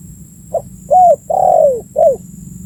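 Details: Spotted dove giving its call, used as a lure to draw in birds: a brief low note, then a bowed hoot, a long sliding coo falling in pitch, and a final quick downward note, with a light hum beneath.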